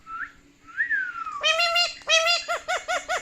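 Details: Pet talking parrot watching himself on screen, giving rising whistles, then a series of harmonic-rich calls: two longer notes followed by quick short arched notes repeated about every quarter second.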